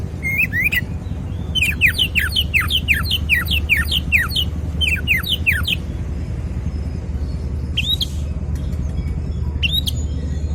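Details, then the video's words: Oriental magpie-robin, described as agitated and used to prompt other magpie-robins to reply, gives a rapid series of sharp downslurred whistles for several seconds, then pauses before a few single upslurred notes, with a low droning hum beneath. "Kacer bisu? auto nyaut dengar suara Kacer emosi ini"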